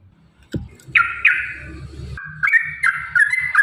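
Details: Yellow-vented bulbul in a 'ropel panjang' long fighting-song style, used as a lure to get caged birds singing: a sharp click, then bright warbled phrases repeated in short bursts over a low rumbling background.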